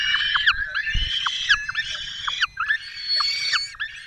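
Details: At a Peregrine falcon nest in the Barycz Valley, Poland, 5 May 2022, where the male has brought a small bird for the female to feed the chicks: a run of repeated harsh, harmonic wailing notes with brief breaks.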